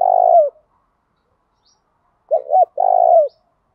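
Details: Thổ đồng style song of a spotted dove, played to stir males to respond and fight: the end of a long purring coo, a silent gap, then a clipped double note and another drawn-out throaty coo.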